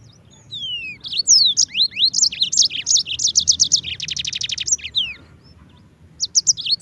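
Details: Yellow-fronted canary (mozambik) in continuous tutor song for training other birds, mixing sweeping whistles, fast slurred phrases and a dense buzzy trill, briefly pausing before resuming with high chirps.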